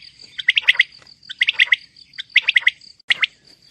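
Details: Female common quail calling: clusters of four to five short, sharp, clipped notes, each burst repeated roughly every second, over a thin, steady, high-pitched whine that runs throughout.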